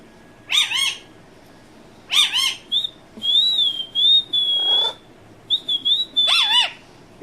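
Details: Indian ringneck parakeet, called a talking parrot, giving scratchy squawks with bent, warbling overtones, interspersed with long, steady, wavering whistled tones; a woman's voice calls softly in the background.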